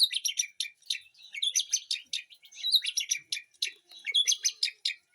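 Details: White-rumped shama in a home garden aviary, pouring out dense, scratchy, high chattering bursts in quick clusters, almost without pause.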